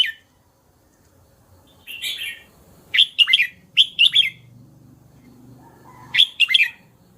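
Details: Red-whiskered bulbul repeating short, bubbly whistled phrases of two to three notes each, spaced by brief pauses, against a quiet background.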